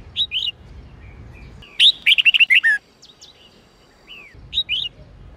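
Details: Red-whiskered bulbul of the Sông Kôn type singing an 8-9-10 note song, used for voice training. Brief paired whistled notes, then a rapid burst of bubbly, warbled phrases dropping in pitch, a few scattered chirps, and a low background hum.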